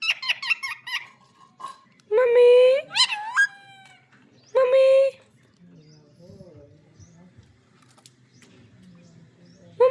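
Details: Green parrot giving quick chattering notes, then loud drawn-out voice-like calls and a squawk, followed by a quieter stretch of soft murmuring sounds and low hum.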